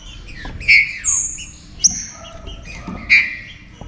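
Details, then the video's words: Short stretch of trinca-ferro, green-winged saltator, warm-up song; a loud whistled note, a long high sliding whistle, then another strong phrase near three seconds, softer saltator voices behind. "ESQUENTE SEU TRINCA FERRO"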